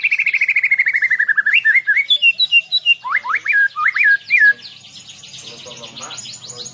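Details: Caged Medan white-rumped shama, 11 months old, singing: a rapid descending trill, then rising whistled slurs and high twitters, ending in a faint fast chatter.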